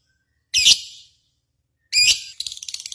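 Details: Contest-simulation lovebird calls used to stimulate singing: two loud, harsh, shrill squawks with a long pause between them, the second running into a quick series of short high chirps.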